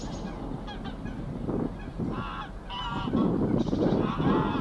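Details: Greylag goose mother swimming with her goslings at Getterön, Sweden, on 20 April 2022; nasal honking calls with harmonic bands, several short bursts rising in loudness, over steady low background noise.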